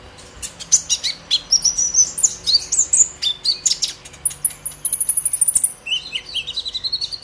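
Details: Rapid, rhythmic run of high chip notes from a purple-throated sunbird, then a thin sustained buzzy trill and a rising squeaky phrase; agitated 'ngobra emosi' chattering of a just-molted young bird, used as a lure for young sunbirds.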